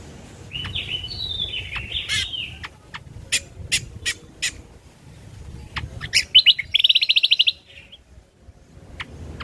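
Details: Natural ruby-throated bulbul voice as a lure and tutor recording: a warbled, wavering phrase, several sharp clicks, then a dense rapid rattle of high notes, with a low background rumble.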